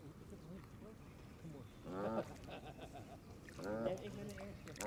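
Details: Canada geese in a flock at the water's edge, feeding on green grass as church bells sound; two strong, rich honks about two seconds apart rise above softer low calls and steady background hiss.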